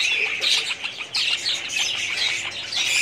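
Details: Many budgerigars kept together in a colony in 2017 produce a busy, unbroken twittering of scratchy squawks and quick chirps, with a louder burst of chatter just after one second.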